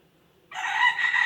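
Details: Rooster starting a loud, harsh crow that breaks in suddenly and continues to the end.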